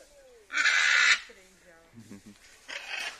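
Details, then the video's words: Blue-and-yellow macaw, once held captive and rehabilitated, at its release to the wild; one loud, rasping squawk, then a person speaking, then a fainter squawk at the end. "Soltando as Araras Canindé"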